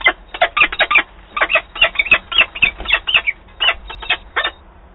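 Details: Peregrine falcons squabbling over leftover prey at Wałbrzych, 5 October 2022: a fast, irregular series of rasping, strident cries in clustered bursts, tailing off toward the end over faint low background noise.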